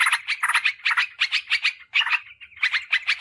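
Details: Bulbul lure sound, yellow-vented bulbul, for calling wild birds and tutoring caged birds: clusters of three or four quick, buzzy chirps repeated roughly once a second, with a brief smoother note midway.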